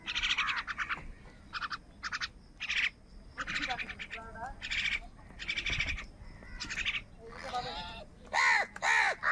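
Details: Crows fighting with wild birds over food on a rainy morning. Busy chattering and squabbling bird calls fill most of the stretch, and two loud, harsh crow caws come close together at the end.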